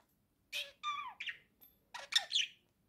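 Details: Pet budgerigar chattering while perched on a swing: a burst of squeaky, warbled notes, including a falling whistled slur, then a quick cluster of bright chirps after a short pause.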